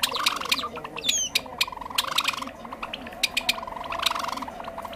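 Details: Java sparrow lure recording for trapping: a steady stream of dry clicks and short chips with one brief high whistled sweep early on, set over a faint low background hum.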